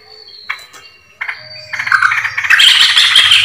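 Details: Yellow-vented bulbul lure recording from 20 July 2024: harsh, chattering calls in quick bursts that build into a dense, noisy jumble, over a low steady hum.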